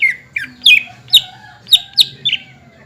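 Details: Greater green leafbird song meant to make other leafbirds sing in reply: loud downslurred whistled notes spaced about half a second apart, with a low hum underneath.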